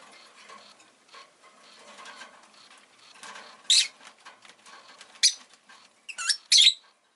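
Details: Pet rosy-faced lovebird calls with sharp, shrill chirps standing out over a constant low clattering background, spaced irregularly, then a rapid pair of piercing notes near the end.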